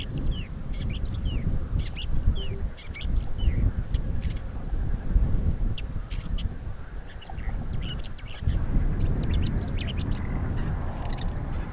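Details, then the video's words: Woodchat shrike singing in Crimea, where it is a rare visitor: a varied, continuous medley of squeaky slurred whistles and dry clicks, briefly pausing mid-phrase, with wind roaring underneath. "Красноголовый Сорокопут. Сольный концерт в Крыму."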